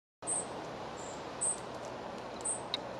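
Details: Spotted flycatcher near Moscow on 17 July, parent at nest feeding young; thin very high squeaky notes repeated roughly every second over steady background hiss.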